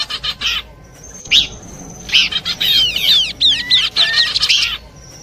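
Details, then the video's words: Horsfield's babbler song in a combined sequence used for luring birds: bright, varied chirps and quick rising and falling whistled sweeps in rapid bursts, with a thin steady high whistle early on. "Nyanyian burung pelanduk semak kombinasi cocok buat pikat"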